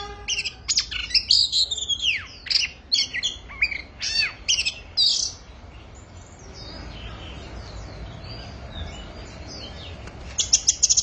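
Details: Oriental magpie-robin entering its singing season, in full piercing song: about six seconds of quick, varied notes, sharp upward and downward sweeps mixed with chattery phrases, then a lull before another bright burst at the end.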